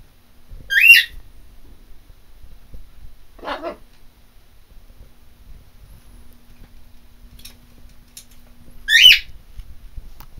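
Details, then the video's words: Macaw kept as a pet gives two short, harsh screams several seconds apart, each a grating rasp with strong overtones, plus a softer lower squawk between them in otherwise quiet surroundings. "the Macaw screaming"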